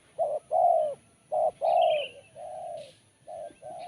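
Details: Spotted dove with a sharp, crisp voice giving low hooting coos in short bursts, including a long drawn-out middle coo, with a brief high chirp from another bird.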